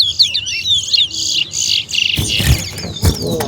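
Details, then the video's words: Towa towa, or large-billed seed finch, competing in a song-counting bird race at Leonora bird ground. Quick high twittering warble for two seconds, then thuds, handling noise and a man counting aloud as the singing fades. "TOWA TOWA BIRD RACE"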